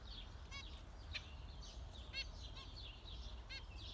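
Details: Zebra finch giving scattered short, nasal trumpet-like beeps roughly every half second to second, softer chatter in the background and a steady low hum.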